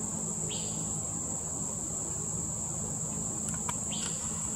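Asian fairy-bluebird giving two brief, liquid, slurred whistles about three and a half seconds apart, over a steady high insect drone.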